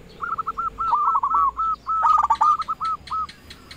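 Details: Zebra dove (perkutut), a local bird singing to call rivals and make other perkutut reply: two phrases of clipped, hooked cooing notes in quick succession, the second ending in spaced single notes.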